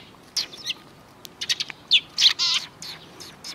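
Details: Sparrows on a road beside a Tenmangu shrine, 13 December 2019. There are sparse, loud chirps with a few quick double notes and one trilled, wavering call, along with a possible soft wing flutter.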